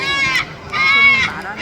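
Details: Captive Yellow-naped Amazon parrot at a Los Angeles Zoo bird show on Veterans Day 2024, calling loudly as it keeps doing through the show: two drawn-out, strident, harmonic calls separated by a brief pause.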